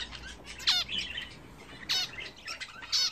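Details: Pet budgerigars kept at home, taking a bath for the first time in a newly fitted bath: sharp, harmonic chirps at about 0.7, 1.9 and 3 seconds, with softer twittering between them and faint indoor background hiss.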